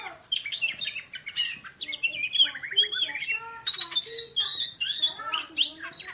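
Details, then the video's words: Champion Oriental magpie-robin (kacer) in 'tembakan' shooting-style song: a rich, varied run of whistled phrases, sweeping slurs and sharp chips. Some are high and bright, others fall to lower mellow notes, with barely any pause between them. "KACER JUARA SUARA TEMBAKAN !!! BURUNG KACER NEMBAK SPEED RAPAT"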